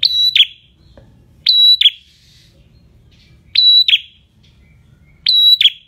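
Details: A prinia in partial full song, used as a tutor recording, gives a loud, clear, high, drawn-out whistle ending in a sharp note, repeated about every two seconds. Nothing else is heard.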